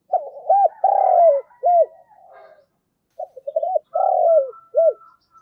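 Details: Decoy spotted dove cooing to bring in wild doves: two low phrases, each of quick stuttered notes, a long rolling coo and a short hooked note, separated by a brief pause.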